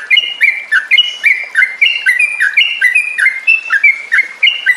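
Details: Yellow-vented bulbul song used as a lure so caged trucuk birds sing and ngropel: quick, cheerful bubbling whistles, each slurred note leaping up or down, repeated in a steady, chattering flow.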